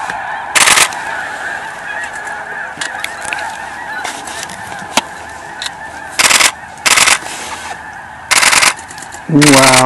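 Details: Thousands of migrating snow geese east of Edmonton, spooked into flight from a pond, give a dense, continuous chorus of overlapping honks. Loud, harsh bursts of broadband noise cut in repeatedly, likely from the camera resting on a car window.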